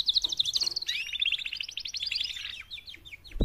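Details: Female canaries, four in number, giving mating calls to motivate males. Quick bouncy repeated notes lead into a long even trill of clipped chirps, ending in scattered whistles and a sudden low thud.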